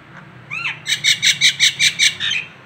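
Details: Indonesian local Nias hill myna: a swooping whistle followed by seven loud, evenly spaced, harsh ringing pulses, with a low steady hum behind.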